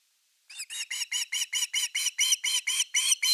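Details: Evening fish time at osprey nest #3, 30 August 2021, nest camera; after a brief silence a bird launches into a fast, insistent series of about thirteen shrill, curved whistles, growing slightly louder toward the end.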